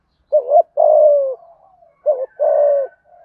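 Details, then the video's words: Spotted dove cooing in the 'thúc gù' style with a 'thổ' voice. Two phrases about a second and a half apart, each a quick wobbling double note followed by a drawn-out, gently descending coo. A faint higher tone sounds alongside the second phrase. "Tiếng cu gáy thúc gù giọng thổ hay"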